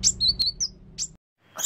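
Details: Caged cucak kinoi giving short, high chirps and a few brief whistled notes. The phrases break off into silence, then a fresh burst of bright chirping begins, with a low steady hum underneath.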